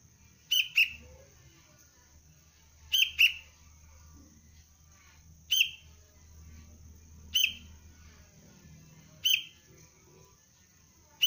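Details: Young sooty-headed bulbul recorded as basic training for the cengkram trapping lure; sharp, high clicking chirps come in close pairs, five bursts spaced about two seconds apart, over a faint low hum.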